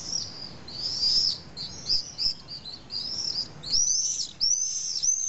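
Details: Many common swifts scream around their unusual low nest site in drainage holes of a large retaining wall on a hillside in Nice, France. Rapid piercing arched screams overlap without pause, several birds calling at once.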